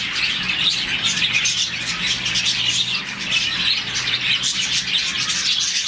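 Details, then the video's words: Morning chorus of a colony of about 40 budgies, chirping because they are happy; many high, overlapping chirps and tweets in a dense, continuous stream. "Lovebirds, budgies, parakeets morning chirping sound"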